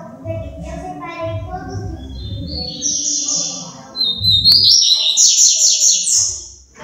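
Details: A female double-collared seedeater shaking and trembling its wings gives high, thin chirps that break into a rapid, buzzy twitter over a low background rumble.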